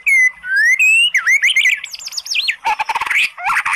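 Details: White-rumped shama lure song to stir a lazy bird into singing: smooth rising whistles, then looping wavering phrases, followed by a harsh chattering burst and a final upslurred note.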